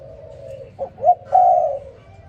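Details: Spotted dove calling in the morning: a soft low coo, then two quick rising notes, then a longer, louder, steady cooing note. The background is otherwise quiet.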